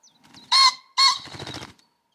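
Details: A cock pheasant on Arthur's Seat in Holyrood Park, Edinburgh, on a sunny April spring morning gives two loud, harsh, honking crow notes half a second apart, then a brief rattling whirr.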